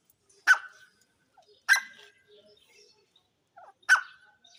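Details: Grey francolin, known locally as jungle teetar: three sharp, loud, ringing notes spaced one to two seconds apart, with faint soft chatter in between.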